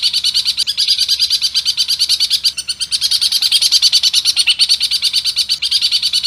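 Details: Long-tailed shrike delivering a continuous, fast, high-pitched chattering roll, about three notes per second, in the speed-roll mimicry style of a training recording.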